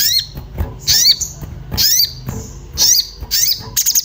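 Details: Agitated orange-bellied flowerpecker calling for a mate, a lure to make birds sing: high, sharp downslurred notes with hooked tails, roughly one a second, ending in a quick rattle of ticks.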